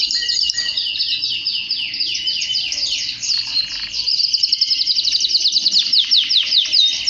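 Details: Male canary singing to encourage singing and excitement, a long high rolling warble of rapid trills, shifting into a fast, pulsing series of sharp repeated notes that grows louder toward the end.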